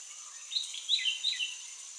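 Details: A bulbul in the Western Ghats gives a brief run of quick, bright chirping notes, four or five within a second, over a steady high insect drone.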